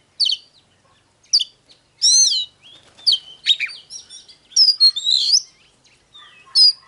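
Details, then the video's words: Oriental magpie-robin song, used as a file to provoke birds into singing and fighting: sharp chips, a loud ringing phrase, and varied warbled whistles with brief gaps. "Chòe than HÓT"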